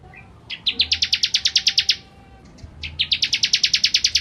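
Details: Lively ciblek kristal (bar-winged prinia) song meant for tutoring shamas: two rapid trains of bright, piercing chips, each about ten to fifteen notes, separated by a brief lull, with faint background hum.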